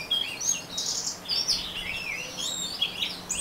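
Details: Rapid ngeriwik song from an orange-headed thrush: a bright burst of high chirps and thin whistled slides, overlapping and uneven, over faint steady hum.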